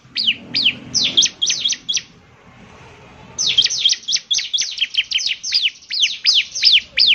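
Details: Bar-winged prinia in lively song: a short burst of high, sharp descending chirps, a quiet pause of about a second, then a longer, quicker string of the same notes.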